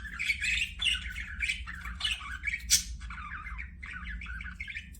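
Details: Budgerigars, kept as pet parakeets in an aviary, warble in wavering, buzzy phrases with clicks and one sharp high squeak, then softer chattering, over a low rumbling hum.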